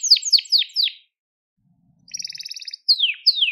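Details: Gloster canary, crested, singing for training young canaries: a run of quick downward-sweeping whistled notes, a silence, then a short buzzy trill and two more falling whistles.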